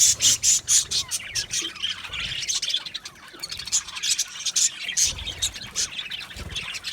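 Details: Colony of Australian budgie parakeets in an aviary giving busy, high-pitched chattering chirps in quick irregular bursts, many birds calling at once.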